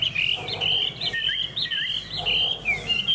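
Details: Caged hwamei, a fan-tailed bird in good form, singing a loud, continuous run of whistled, warbling phrases that slide up and down with quick turns, steady throughout with a faint low hum behind.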